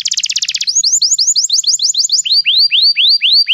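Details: Canary song for training a young singer: a dense buzzy roll opens, followed by a string of crisp rising whistled notes, then slower upward-curving slurs repeated about every quarter second.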